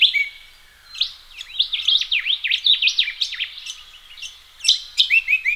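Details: Australian ringneck parrots bathing in a pond before starting their day on a chilly, sunny morning. Clear, rapid strings of sharp chirps and swooping whistles come in two bursts separated by a short quiet gap.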